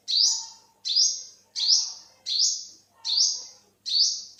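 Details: Six loud, bright notes from an olive-backed sunbird in 2021, each rising sharply before flattening into a thin high tone, spaced evenly about three-quarters of a second apart.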